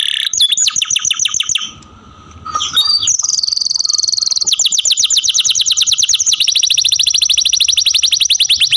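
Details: Kept canary singing high rattling trills, a short pause with soft chirps, then long runs of fast, evenly repeated buzzy syllables.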